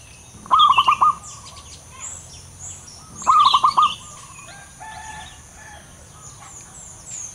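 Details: A frequently singing, loud-voiced male local zebra dove repeats a short stuttering phrase of quick soft coos twice, roughly three seconds apart. Thin high chirps from another bird accompany each phrase.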